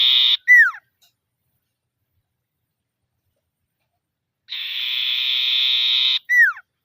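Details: Common iora challenging rivals with repeated ngetir calls. A trill ends in a falling whistle, about three and a half seconds of silence follow, then another long steady buzzing trill closes with the same down-slurred whistle.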